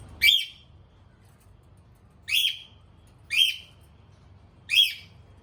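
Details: Free-flying pet cockatiel; four loud, harsh, rising whistled calls spaced one to two seconds apart, with a quiet low hum between them.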